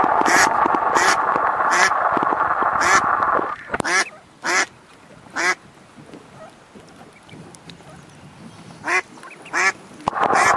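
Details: Ducks on a pond with ducklings: a string of hoarse quacks through the middle, bracketed by loud rushing noise at the start and finish.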